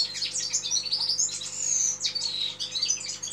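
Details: Red-fronted serin singing: a rapid, continuous twittering of high, sweet notes, with bright whistled slurs and buzzy trills tumbling over one another. A faint steady low hum sits underneath.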